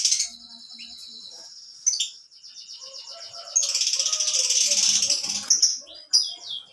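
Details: Singing canary pours out a long, continuous high trill that swells into a loud, dense rattling stretch, followed by clipped whistled notes; faint lower sounds linger underneath.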